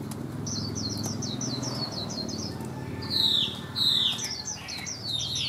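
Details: Caged hwamei in weak condition from lack of care, still singing when hung out: a quick run of high, repeated chirping notes, then loud, clear falling whistles and varied phrases, over a low steady hum.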